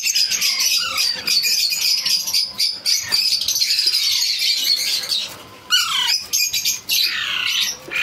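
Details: Baby Alexandrine parakeet being hand-fed, giving a continuous harsh, raspy begging chatter broken by short descending squawks and a brief pause near the middle.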